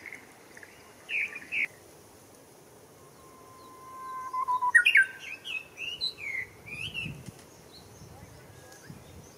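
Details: Japanese bush warbler at Showa Kinen Park, 10 April 2021: a few soft notes, then a level whistle held over a second leads into a loud, quick flourish, followed by a stream of high chirping.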